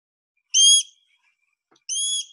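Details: Sharp-shinned Hawk call from South Carolina: two thin, very high, squeaky notes, each a fraction of a second long and spaced over a second apart, with nothing else heard.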